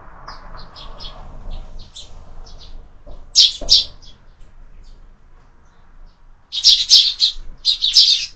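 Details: Sparrows feeding at a window-mounted feeder at lunchtime; soft scattered chirps build to loud, close bursts of rapid high chirping, with a faint low rumble early on.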